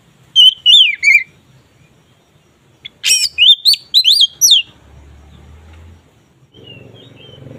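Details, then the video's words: Oriental magpie-robin giving ngeplong song, said to raise mating drive: a short whistled phrase, then after a pause a second louder sequence of ringing, wavering whistles. Faint low rumbling background near the end. "Suara BURUNG KACER Ngeplong ini sangat ampuh untuk menaikan Birahi kacer"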